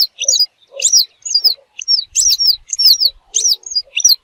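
Western yellow wagtail giving a run of high, thin, sharp chirps and slurred notes, several per second and irregularly spaced, with faint low chips between.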